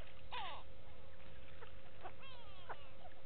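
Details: At a waterhole on Djuma Game Reserve in South Africa's Sabi Sand Wildtuin, go-away birds give several short nasal calls. Some fall in pitch, one is brief and harsh, and a constant low hum runs underneath.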